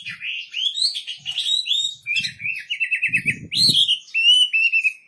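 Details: Wambi bird in full, lively song: rising whistled phrases, then a fast trill of rapid repeated notes, sweeping up again into clear whistles, with faint low thumps in the background.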